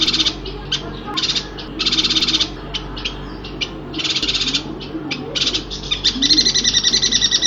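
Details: A Yuhina from Kalimantan gives high, buzzy chattering bursts, each about half a second long, in quick repeated runs over a steady low hum.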